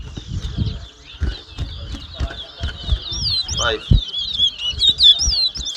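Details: Towa towa (chestnut-bellied seed finch) whistling in a 2022 competition at Mahaica, Guyana; fast high twittering phrases become louder and sharper toward the end, while people talk in the background.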